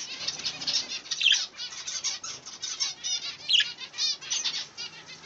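Budgerigars chatter in a fast, scratchy warble of buzzy and squeaky notes.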